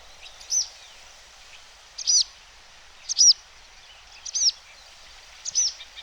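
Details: Barn Swallow giving sharp, high two-part alarm notes about every second, over steady hiss; on 20 June by the Vistula near Przegalina and Błotnik close to Gdańsk, it flew about calling in alarm for no clear reason, briefly startling black-headed gulls.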